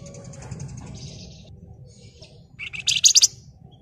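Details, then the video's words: Flamboyan, a bird in excited, dense singing meant to prompt other birds to sing: a single sharp burst of fast, high chattering notes near the end, after faint thin trilling and a low steady hum. "Burung Flamboyan Gacor Ngebren Rapat Nyerecet Emosi Cocok buat Pancingan"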